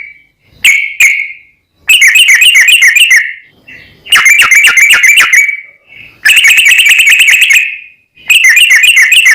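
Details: Lure recording of a sooty-headed bulbul in full song with long rapid rolls, meant to make another bird sing: four loud buzzy bursts of quick repeated notes with short silent breaks between.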